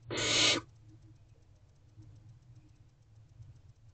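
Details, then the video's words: One short, loud hissing rasp from hungry barn owl owlets waiting in their nest box for the mother's return, then quiet with a low background hum. "Owlets Are Hungry and Still Waiting For Mom to Return."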